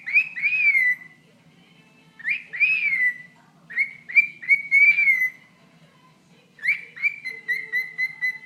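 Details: A pet bird chatters at its owner's toe, giving looping, downslurred whistles in short clusters separated by quiet gaps, ending with a steady string of level whistled notes.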